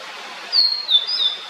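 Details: A blue-and-white flycatcher gives a brief run of thin, high, clear whistles that slide slightly downward over about a second, with a soft outdoor hiss underneath.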